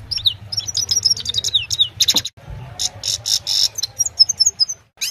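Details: Himalayan goldfinch song at evening time, captured on a phone: fast tinkling twitters and descending slurred whistles, a few harsh nasal buzzes in the middle, ending with quick sweet chirps; faint low hum beneath.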